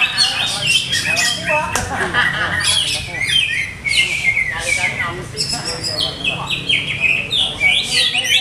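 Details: Caged Greater green leafbird, a competition bird still being tuned by its owner, singing a dense, continuous run of rapid high chirps, trills and slurred whistles with barely a pause, low hum underneath.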